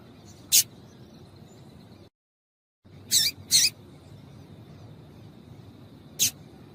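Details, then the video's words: Female double-collared seedeater calls intended to warm up males for singing: a single high chip, a brief silent gap, a close pair of rasping chips, then one more thin chip. "Piado de Fêmea de Coleiro para Esquentar Coleiro"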